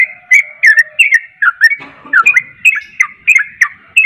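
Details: Yellow-vented bulbul kept caged, singing 'ropel' style to prompt another bird to sing: chirpy whistled notes slurring downward in quick succession, with a brief low rattle midway.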